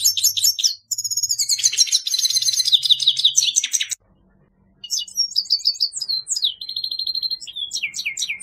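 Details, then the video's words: Song of a grey-headed goldfinch (Carduelis caniceps): dense, scratchy twittering and fast trills, a pause around four seconds, then clearer whistled and chirped phrases; a low hum in the background. "Щегол седоголовый (Carduelis caniceps)"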